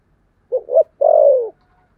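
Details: One phrase from a spotted dove in the 'thổ sấm' style: two short rising hoots, then a sustained deep coo gliding gently lower.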